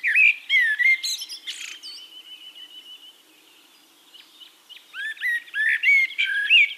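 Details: Eurasian blackbird (Turdus merula) recorded in Castricum, the Netherlands, delivering fluty warbled phrases with scratchy high twitters, then a quieter gap with a faint steady high tone before another burst of mellow notes.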